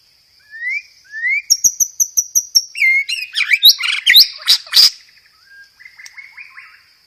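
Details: Loud white-rumped shama song for luring, mixing 'gereja tarung' fill with 'roll tembak': rising whistles, a rapid high ticking series, a dense burst of harsh notes, then soft twittering.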